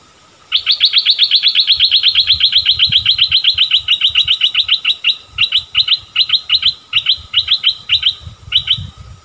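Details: Streak-eared bulbul decoy luring wild birds in January 2021, with the first wild catch of the year. A long run of rapid, evenly repeated sharp notes slows into short clustered bursts. Faint low rumbling sits underneath.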